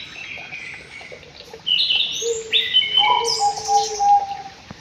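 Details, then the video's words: White-rumped shama in an aviary singing clear whistled phrases, long level notes stepping between high and low pitches, with sharp upward-swept notes near the end and brief pauses between phrases. "BURUNG MURAI BATU DI AVIARY"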